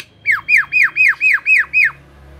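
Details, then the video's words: Javan myna, singing to coax quiet mynas into song: seven loud arched, downslurred whistled notes in an even series, each about a quarter second apart, over a faint low hum. "pancingan jalak kebo"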